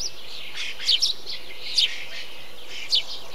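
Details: Tree sparrow recorded within a bee-eater colony, giving brief bright chirps, a close pair near one second and single notes near 1.8 and 2.9 seconds, among fainter overlapping lower calls from neighbouring birds and constant high hiss.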